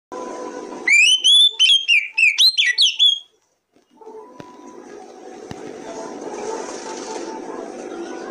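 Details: Oriental magpie-robin (kacer) song used as a lure to get other kacer birds singing. About two seconds of loud, clear whistled phrases with rising and falling notes and sharp high chirps, then a pause and a steady background hum.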